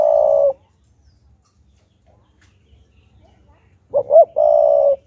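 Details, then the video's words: {'caption': 'Decoy spotted dove cooing to provoke wild doves: a steady mid-pitched coo opens, then silence, then a quick wavering double note runs into another long, even coo.'} "Chim Cu Gáy Kích Bổi Đủ Bài - Kích Là Gáy 100%"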